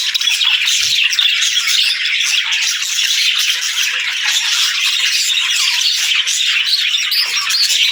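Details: Morning chirping from a group of caged parakeets and lovebirds as they stretch and greet the day; many overlapping squeaky calls form a continuous bright chorus with no pauses.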